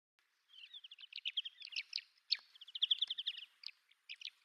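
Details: Red-capped lark, a passage migrant on Yonaguni Island, Japan: dense, rapid bursts of dry chirps and short trilled notes run almost continuously, with a sharper chip partway through and quiet background.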